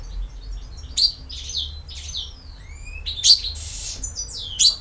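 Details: European goldfinch singing in the campero style: sparse bright twittering notes, sharp high chips and a few rising and falling whistled slurs, with short pauses between phrases over a low steady hum.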